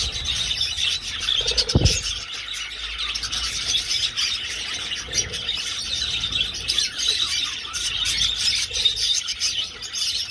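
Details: Many budgies flitting through an old aviary chatter without pause, a bright mass of overlapping high chirps and warbles, broken by a single dull thump near the start.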